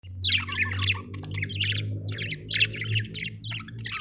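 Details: Budgerigar chirping, described as an Australian bird: dense bursts of rapid chattering and squawky warbles, with a steady low hum throughout.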